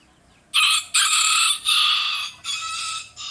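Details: Rooster calling in response to other roosters during a crowing contest, a loud, drawn-out cock-a-doodle-doo of four harsh, harmonic segments with a clipped fifth note at the end.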